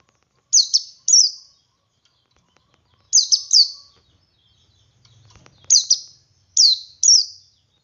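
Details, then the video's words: Ngalas song from a male Oriental white-eye, used to coax other white-eyes to sing: short pairs of very high, falling whistled notes repeated every couple of seconds, with a brief faint rustle between phrases. "Suara Burung Pleci Jantan Ngalas Memancing Pleci Lain Ikut Ngalas"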